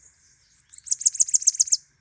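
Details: Bananaquit singing persistently: a brief, very high, thin phrase of about seven quick, sharp, downslurred notes in a tight trill lasting under a second, after a couple of faint introductory chips.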